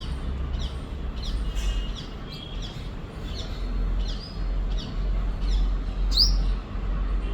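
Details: Sunbird giving high-pitched, thin chirps, short downward-sweeping notes repeated irregularly about every second, with one louder rising note near the end, over a steady low rumble of background noise.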